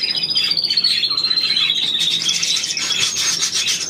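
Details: Budgerigar warbling opens with a thin whistled tone that drifts slightly lower, then turns into fast raspy chirps and clicking chatter that continue to the end.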